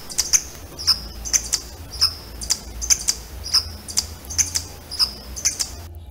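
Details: A violetear hummingbird gives a long run of sharp, high, dry chips, about two per second, alternating slightly in pitch, over a faint low hum. This is its so-called song, which is described as not a true song.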